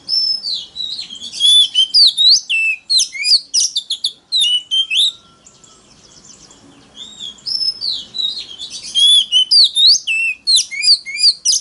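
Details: Oriental magpie-robin singing in a competitive style meant to lure rivals: loud, varied bursts of high whistled and slurred notes, rapid and sharp, in two long phrases separated by a quiet gap of about two seconds.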